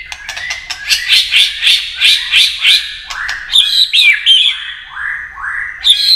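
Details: White-rumped shama in competitive song. A rapid run of buzzy, rising notes, about three per second, turns into clear upward-sweeping whistles repeated steadily.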